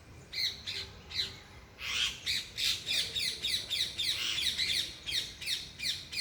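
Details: Parrots chirping loudly in a natural setting, a steady run of sharp, raspy chirps at roughly three per second, building after a quieter, sparser opening.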